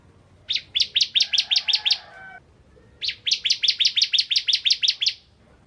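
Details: Bar-winged prinia, crystal type, singing vigorously to stir other prinias: two quick bursts of about eight and twelve sharp chips, a faint drawn whistle between them, quiet background.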